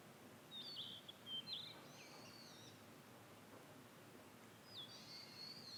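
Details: Wild ashy minivet in familiar satoyama countryside giving high, thin metallic trills in two short bursts separated by a pause, over a steady background hiss.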